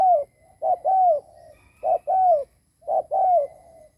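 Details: Spotted dove kept as a decoy, cooing to attract wild birds: low, mellow two-note coos, short then longer and falling, repeated roughly every second in a quiet setting.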